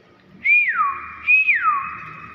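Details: Common hill myna repeating a bright whistle twice, about three-quarters of a second apart; each climbs, then slides down smoothly, with faint room noise behind.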